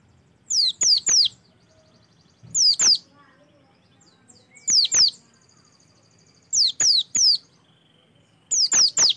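Oriental white-eye giving high, thin, rapid chirped phrases of three or four notes, repeated about every two seconds, with faint low background hum.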